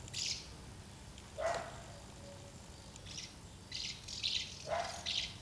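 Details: Common house martins visiting two nests to feed young, 24 August 2012; short high chirps scattered in small groups, mixed with a couple of lower, harsher single notes from nearby birds, in a quiet setting.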